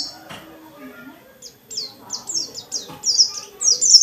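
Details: Dakun white-eye, a kept bird, sings to trigger other white-eyes into song; after a brief human voice and quiet, high downslurred chirps start and grow louder in a quickening series.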